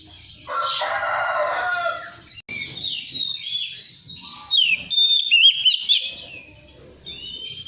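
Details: Magpie-robin lure song meant to set other magpie-robins singing and opening their tails: a harsh, buzzy rasping stretch first, then bright whistled slurs and sharp sweeping notes, loudest near the end.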